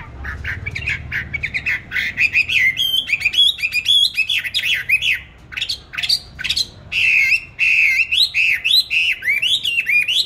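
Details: Pet songbird bought on 19 May 2020 delivers a long, lively song of rapid warbled and chattering notes, looping whistles repeated in bursts with short pauses between them.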